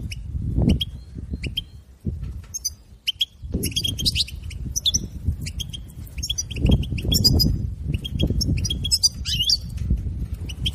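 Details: European goldfinch song used to stimulate a captive goldfinch to sing: bursts of high, rapid twittering and chirps, dense and scratchy, with loud low thumps and handling noise between phrases.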